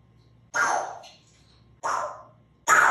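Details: A 2-year-old pet African Grey parrot gives three harsh, raspy bursts, each under half a second and about a second apart, with a faint hum in between.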